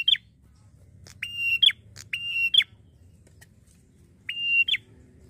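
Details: Red-headed prinia giving four loud, flat, high whistled notes, each ending in a quick up-and-down flick, spaced about a second apart over faint low hum; sound used to lure other prinias into responding quickly.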